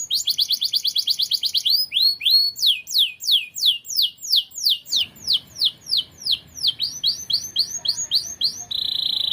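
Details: Canary singing a lively, continuous song of fast repeated syllables: rapid trilled notes, then a series of sweeping down-slurred whistles at a few per second, ending in a steady buzzy roll.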